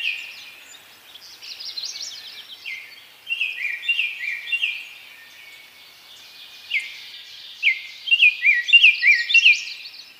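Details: Baltimore oriole (Icterus galbula) song: rich, flutey whistled notes slurred up and down, in quick clusters with short pauses between phrases, over faint background hiss.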